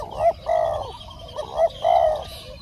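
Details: Spotted dove in Thailand, part of a live-decoy contest to lure a wild bird. Paired hollow coos, a short note then a longer drawn-out one, are repeated twice, clear and close.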